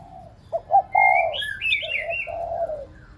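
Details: A spotted dove serving as a decoy to rouse pet doves gives low two-note starts and long mellow coos, with a bright, rising and falling warble from another bird overlapping.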